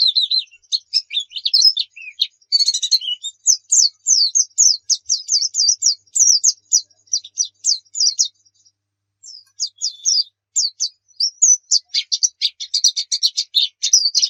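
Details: Long run of white-eye (pleci) song, recorded to train caged birds: rapid high, sharply downslurred chirps in steady streams, a brief lull near the middle, then dense twittering again.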